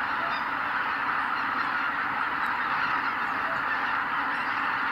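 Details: Flock of greater white-fronted geese leaving the roost at sunrise, Kabukuri-numa marsh, Miyagi, Japan, recorded with a camera microphone: an unbroken wall of massed honks and thunderous wing noise.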